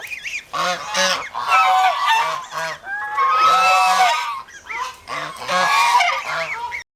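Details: Over-protective domestic geese, kept as guard animals in the Philippines, trumpet loud, grating honks in grouped bursts about every two seconds, with short gaps of quiet between.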